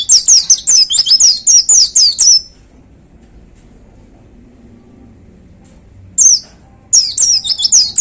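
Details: Caged white-eye singing in the powerful 'tembakan' (shooting) style: a fast burst of high, sharp, descending whistled notes for two seconds, a long pause, one lone note, then the rapid burst resumes.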